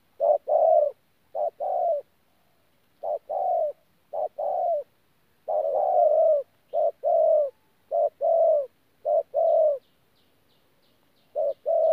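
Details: Spotted dove from Tu Mo Rong, a wild-caught bird recorded 14 January 2019, thổ calls mixed with gù: rhythmic low coos in short-long pairs with brief pauses, faint high chirps toward the end.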